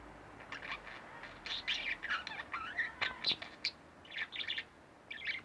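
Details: Chirping from two household budgerigars, softer and farther off, a scattered series of short bright notes and warbles over a faint background hiss.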